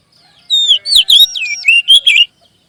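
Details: Magpie robin song used as a prompting sound to get other magpie robins singing and to build their confidence: loud, clear whistled phrases sliding up and down, with rapid twisting notes over under two seconds. The background is quiet.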